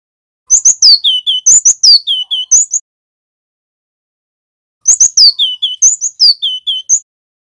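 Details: Loud, clear singing from a male Javan wingko cinereous tit, used to train and lure other birds: two bursts of quick high chips dropping into slurred whistles, each about two seconds long, with a silent pause between.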